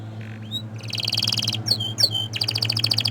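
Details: Orange frost canary: a rising whistle, a quick buzzy roll, two sharp swooping notes and a final rapid trill, with a steady low electrical hum behind.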